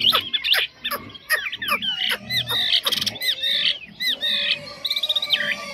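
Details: Chinese hwamei singing well and without faults, a rich varied song of quick slurred whistles, sharp notes and short rattling bursts that flow almost without pause.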